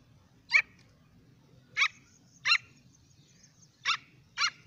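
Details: Partridge chick calling: sharp, high, clipped notes given singly at irregular gaps of about one second, six calls in under five seconds, with a faint low hum beneath.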